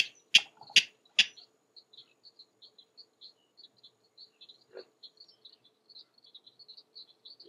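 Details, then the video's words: King Rail in Florida's Mallory Swamp on a spring morning: three loud, rasping 'kek' notes in fast succession open the recording, then the bird falls silent while soft, high, regular chirping continues in the background. "King Rail 'kek' Calling"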